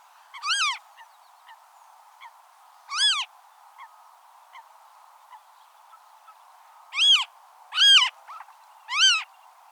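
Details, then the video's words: Western marsh harrier (Circus aeruginosus) recorded in the wild, giving five thin, mewing squeals that arch up then down, irregularly spaced over ten seconds, over a faint steady hiss. "Marsh Harrier Sound – Song & Bird Calls"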